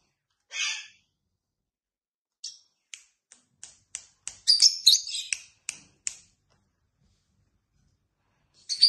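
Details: Tame pet lovebirds at home, feeding and playing with a toy, give sharp high chirps. An opening squeak is followed by scattered short tweets, then a dense burst of twittering midway and one last squeak, in an otherwise quiet room.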